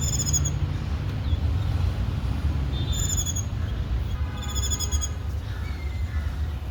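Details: Indian white-eye adults with their chicks: short bursts of very high, thin, rapidly repeated notes come at the start, near three seconds and again around four and a half seconds, over a loud constant low rumble.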